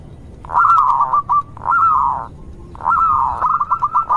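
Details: Local zebra dove song for prompting other zebra doves: three drawn-out hollow coos, each starting smooth and ending in a few rapid stuttering pulses.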